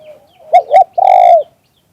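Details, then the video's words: Spotted dove, recorded live singing liu tan style: a faint low hum, two quick loud coo notes, then one long, forceful, rasping coo that fades out at the end. "เสียงนกเขามงคล หลิ่วตัน"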